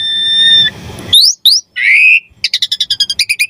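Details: Javan pied starling singing vigorously with rich varied phrases, used for training songbirds and provoking starlings: steady high whistled tone, then rising whistled slurs and a lower buzzy note, ending in a rapid train of sharp repeated chips.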